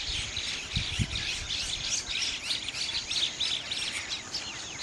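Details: Chattering Bank mynas (Gang Shalik), a flocking species that nests beside river banks; rapid, jumbled high chirps and whistles overlap steadily, with a few low knocks near the start.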